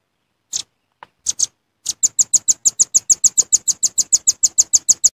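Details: Lure call of the velvet-fronted nuthatch: a couple of single sharp chips, then a long steady trill-like series of high, thin notes repeated about six times a second.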